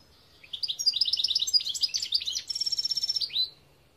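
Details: European goldfinch, 2021 recording: an unbroken three-second phrase of fast, bright, jangling twitters and trills, varied notes run together, ending in a short rising slur.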